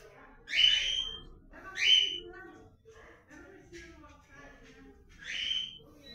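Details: Blue-black grosbeak of the comanche song style, calling and singing as the breeding season arrives: three loud whistled phrases, each a quick rising sweep with buzzy overtones, the first two close together and the third after a pause, with softer notes in between.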